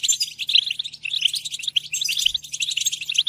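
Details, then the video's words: Goldfinch twittering in a fast jumble of bright chirps and buzzy notes with a steady low hum behind, the song slightly muffled and dense. "Comprehensive guide to stimulating and singing the goldfinch"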